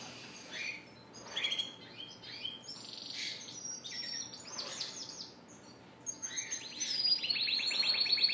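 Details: Spanish Timbrado and Gloster canaries singing in shop cages, April 9, 2016: bursts of high twittering notes that build into a fast, rapidly repeated trill toward the end, over a faint steady hum.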